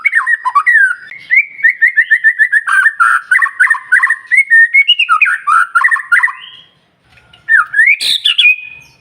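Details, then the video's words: Morning song of a white-rumped shama, meant to spur other birds into singing: a long run of quick, evenly spaced whistled notes, then looping phrases, a brief gap, and a final rising high whistle. "Pancingan Murai Batu Paling Ampuh Bikin Burung Lain Meledak Bunyi"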